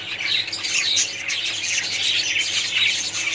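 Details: Dense chattering of many budgerigars in a colony, with bright squeaky chirps and short whistled notes layered over a constant raspy warble.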